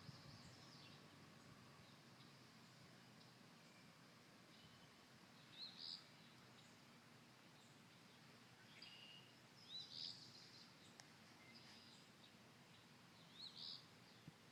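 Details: Birds at a cottage on a Sunday morning, July 3, 2016: three brief, high, sharp chirps spaced about four seconds apart over a constant low background hum.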